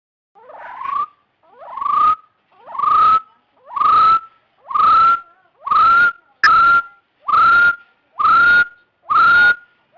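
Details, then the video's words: Series of nine upslurred whistles from a partridge, each rising then holding steady, about one per second, growing louder through the sequence, with a single sharp click midway. "เสียงนกกะทาดง suab yij dib tuaj zoo"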